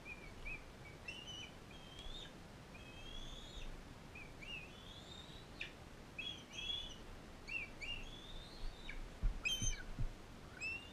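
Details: Bald eagle in care, where a non-releasable female fosters an eaglet from Powell River; a long run of thin, high rising whistles, irregularly spaced about two to three per second, with a few sharp knocks and clatters near the end.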